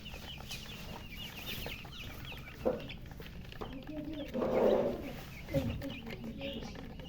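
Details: Domestic chicks said to be thirsty for drinking water peep with scattered high chirps; louder, lower clucking or voice-like bursts break in several times over a steady low hum.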